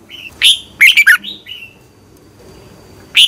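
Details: Short excerpt of a red-whiskered bulbul's morning dueling song for training birds: a soft whistled note, then a quick trio of loud, bright, descending chirps, a brief whistle, and one final chirp.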